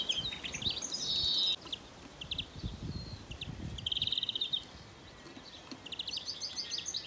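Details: Young greenfinch in a trap setting gives fast twittering trills and chattered notes in several bursts, with soft rustling and low thuds beneath.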